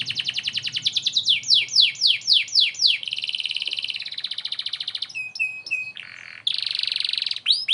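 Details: Canary song used as a training model for White-rumped shamas: fast trills of descending sweeps, rapid buzzy rattles, a sustained whistled note and sharp chirps, all high-pitched and continuous.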